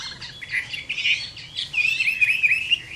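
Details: Chinese hwamei in a cage giving fighting song at a summer midday, with rapid warbling, slurred whistles that rise and fall, softer at first and building into a brighter, quicker run of looping notes.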